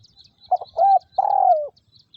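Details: Vietnamese decoy spotted dove, a ground decoy for trapping wild doves, delivering one phrase of a quick note, an arched coo and a long falling coo, with soft high twittering from other birds around it.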